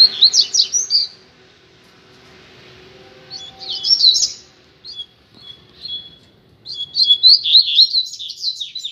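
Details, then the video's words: Street-side pair of rusty-collared seedeaters: repeated rushes of quick, high, looping whistled notes, separated by quieter gaps with a few thin single notes. "Casal de Coleiro na Rua - Muita Fibra e Canto!!!"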